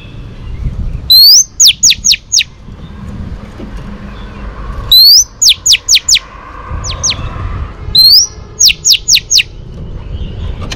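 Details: Female Oriental magpie-robin singing to excite and spur on males, used for training: a bright rising whistle followed by four or five quick, sharply falling slurred notes, the phrase given three times with short pauses over faint low background hum.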